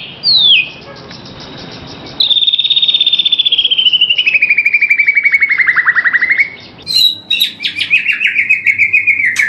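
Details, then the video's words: White-rumped shama tutor recording for the morning: one sharp falling whistle, then long buzzy rattling trills that slide slowly downward, followed by a fast, stuttering series of high notes. "Masteran Murai Batu Durasi Panjang Untuk Pagi Hari"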